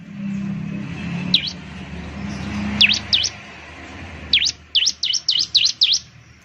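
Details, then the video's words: Bar-winged Prinia (ciblek) lure song: scattered high, V-shaped chips over a low rumbling background, then a tight closing run of six rapid notes. "Suwara Burung Ciblek || Ciblek bird lures, the sound of the gacor immediately picks up"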